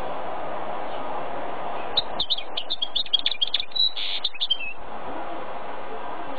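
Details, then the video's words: Male goldfinch-canary mule gives a quick, jangling burst of song, about three seconds of dense twittering notes and buzzy trills, set against a constant low hum and background murmur before and after. "MoN mULeT cHaRdOnnErEt male"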